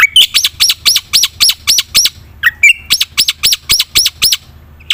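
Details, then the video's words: Energetic black-winged myna song full of fillers, meant to coax silent birds into singing: a rapid run of loud, high, clipped notes about four per second, broken midway by a lower harsh squawk, with faint background hum. "suara burung jalak putih gacor full isian"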